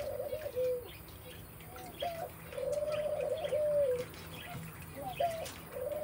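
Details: A three-month-old red golden pheasant gives soft, low, wavering whistles, some drawn out and some clipped, in several bursts over a few seconds, with faint background hiss.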